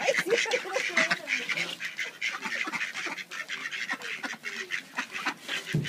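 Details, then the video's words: Several ducks squabble out of hunger amid deep snow; rapid raspy quacking, dense and overlapping, continues throughout with a constant hiss behind it. "Pelea de Patos con hambre"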